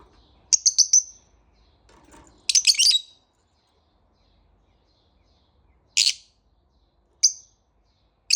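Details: Lovebird kept as a pet, heard in the morning: rapid high chirps and a clear whistled note, a louder rasping burst, then isolated sharp single chirps spaced about a second apart against silence.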